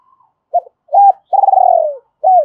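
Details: Decoy spotted dove giving its double-voiced luring call to draw in wild doves: short hollow coos, then a long rolling purred note falling in pitch, and a closing arched coo.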